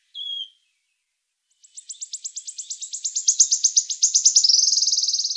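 A wood warbler gives one thin high note, then a run of dry, high ticks that speed up and merge into a shivering metallic trill.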